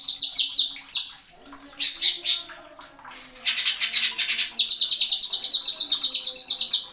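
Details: Masteran recording of a greater green leafbird (cucak ijo) singing 'nembak' with sharp 'isian'. Short choppy phrases and a harsh noisy burst give way to a steady, fast run of bright, repeated high notes.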